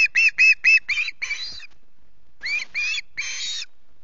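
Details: Early-morning screech from a hungry osprey chick on a Loch Garten nest: five quick, coarse notes merging into a longer cry, a pause, then three more drawn-out screeches.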